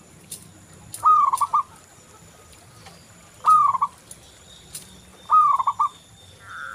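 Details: Local zebra dove in full song, used as a lure for other doves: three separated phrases, each a rising whistled coo sliding into a rapid broken trill, with quiet gaps and faint hum between.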